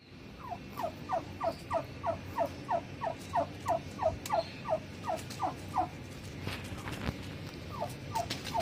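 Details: Young turkeys calling: a steady series of short, clear, downward-slurred peeps, about three per second for six seconds, then scattered clicks and knocks over a low background rumble.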